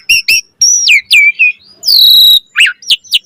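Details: Energetic Asian pied starling song while puffing up: sharp paired chirps, a high whistle dropping in steps, a long bright sustained note, then quick rising and falling whistles.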